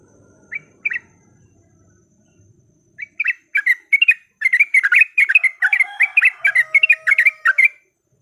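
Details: A yellow-vented bulbul used as a lure for fighting song: two isolated chirps, near silence, then an accelerating run of loud, busy chattering notes to the end.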